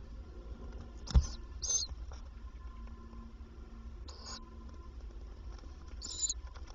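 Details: Tawny owl at a nest box by day, where the female comes several times to feed the young; three short wheezy hissing bursts spaced a few seconds apart, with a sharp knock and soft rustling inside the box.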